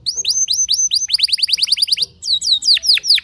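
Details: Canary singing to provoke others into song: rapid series of bright falling whistled notes, about a dozen in a steady run, then slower deep downward sweeps.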